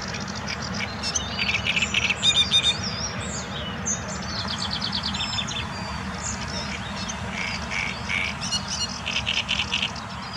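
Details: Great reed warbler, one of several singing in the palace park at Białowieża, Poland, on 13 May 2023; harsh, chattering, croaky phrases come in bursts, loudest near the start and end, over steady low background rumble.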